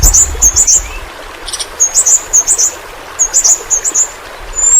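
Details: Yellow-rumped flowerpecker of Kalimantan, recorded for pet bird training: paired and tripled high, thin chips delivered in short groups with brief pauses, against a soft hissing background.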